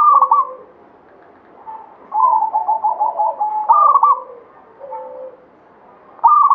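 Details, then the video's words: Zebra dove, local Banyumili katuranggan bird, alternating loud cooing phrases with a long pulsed trill of rapid coos, repeated over several seconds. "SUARA PERKUTUT LOKAL KATURANGGAN BANYUMILI GACOR"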